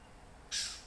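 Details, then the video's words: MacGregor's bowerbird singing in rainforest in Papua New Guinea: a single short, harsh, rasping burst, broad and hissy, lasting under half a second after a quiet start, over faint forest background. "Macgregor's bowerbird singing in rainforest, Papua New Guinea"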